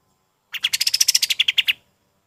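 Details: Golden-bellied gerygone singing, recorded as tutoring song for other birds: a single quick run of about fourteen thin, high, evenly spaced notes that drift slightly lower toward the end, with no other sounds.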